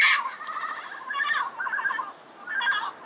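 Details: Red-crowned amazon chatter at dawn in Pasadena: a sharp opening screech, then a wavering stream of nasal, rolling notes with a few high whistles over it.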